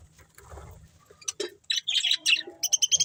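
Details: Sharp, separate budgerigar chirps from a breeding pair, rising into a quick series of clear, evenly spaced notes at the end.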